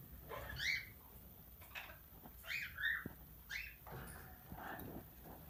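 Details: Pet plum-headed parakeet, tamed and described as talking, uttering squeaky chattering notes and short chirps in clusters about a second apart, with faint room noise behind.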